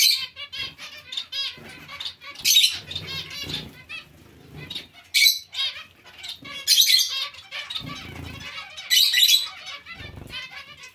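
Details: Zebra finch colony alongside other finches: loud clusters of harsh, nasal calls about every two seconds, softer twittering in between, and bouts of fluttering wings.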